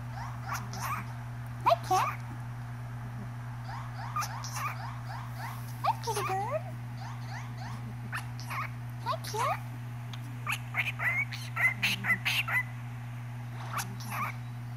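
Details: Cockatiel singing and talking to a cat, warbling and chattering in quick, bright chirps and short whistled phrases over a steady low hum.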